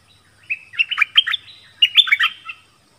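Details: Nok dok taeng answering wild birds with its 'double' song style. Two short, bright phrases of quick chirped and slurred notes, the second richer and ending in a soft falling note, over a quiet background.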